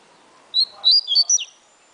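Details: Atilharia-style song of a double-collared seedeater kept by a breeder: a brief phrase of four or five bright, sharply inflected whistles, the last dropping steeply, in a quiet setting.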